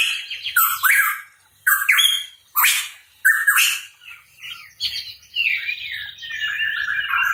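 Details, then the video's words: Hooded pitohui (cucak rawa papua) in active song: a run of loud raspy, whistled notes about a second apart, then a softer warbling, chattering stretch. "Cucak Rawa Papua Gacor | Pitohui Bird Chirping"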